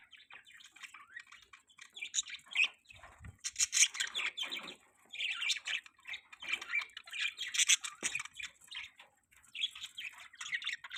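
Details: Budgerigars giving a mating call: continuous busy chatter of squeaky chirps, clicks and warbled notes, dense and unbroken, with a few harsher squawks mixed in.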